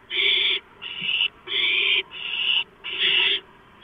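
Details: Barn owl at the nest on a live nest camera during a late-night gopher prey delivery, April, 11:43 PM; five harsh, hissing screeches, each about half a second long, repeated in steady succession.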